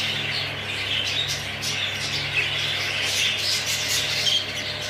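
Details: English show budgerigars fill the air with dense, high, scratchy chatter and brief squeaky chirps, with a steady low electrical hum underneath.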